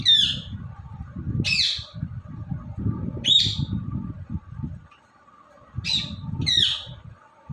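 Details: Indian ringneck parrot, a talking and dancing bird, lets out five short harsh high squawks spaced a second or two apart, with a low rumbling noise beneath and a brief quiet gap.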